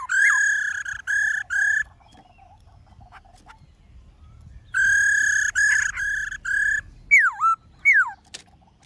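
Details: In the 'forest voice' style, a black-throated laughingthrush gives several full, harmonic whistled notes. After a pause come more, ending in sharp downward-slurred whistles.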